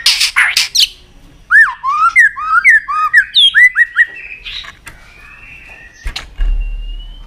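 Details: Shama song meant to stimulate a bird to sing: harsh bursts, then a run of rich, looping whistled notes, fading into a long thin whistle with a low thump.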